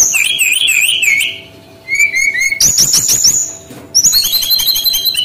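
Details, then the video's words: Male brown-chested jungle flycatcher from Bali, singing vigorously as a training lure: rapid wavering whistles, a short pause, descending whistled notes, rattling buzzy pulses and a steady high note, then layered high trills. "SUARA BURUNG SRDC BALI ASLI JANTAN GACOR"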